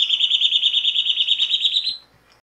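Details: Singing Rufous Gnateater giving one long, fast, even trill of high pulsed notes, held for about two seconds and edging slightly higher in pitch before stopping abruptly; near silence follows.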